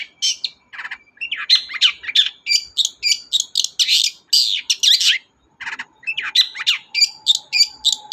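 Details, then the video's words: Lively long-tailed shrike song, a lure meant to get a reluctant shrike singing: dense run of chattering, twisting notes and slurred whistles in quick succession with one brief pause, and a low steady hum near the end. "BURUNG CENDET GACOR DOR, pancingan ampuh cendet gak mau bunyi"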